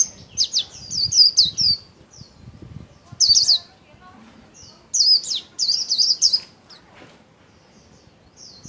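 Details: Caged Japanese white-eye kept as a songbird, displaying with spread wings while giving its 'líu' song: high, thin twittering phrases in quick bursts, a run near the start and another cluster after five seconds, separated by quiet gaps.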